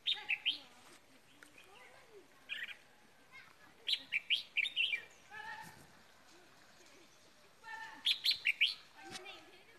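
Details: Red-whiskered bulbul used as a decoy around Tết, giving bursts of rapid bright whistled notes near the start, at four seconds and at eight and a half seconds, with other birds chirping and low murmurs between.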